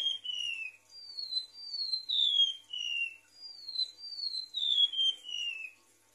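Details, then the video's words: Lure recording of a golden-bellied gerygone: wistful high whistles gliding down in pitch, strung into two falling cascades separated by a brief pause, with soft faint overtones above. "PANCINGAN MASTERAN PIKAT SUARA REMANTUK LAUT"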